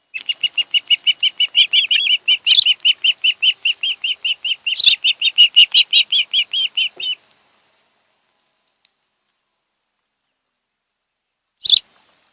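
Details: Osprey at its nest on Kent Island, Maryland, on 26 July 2018 in the afternoon, from a nest camera watching a mated pair: a fast run of about thirty high, even chirps over seven seconds, then silence and one last chirp.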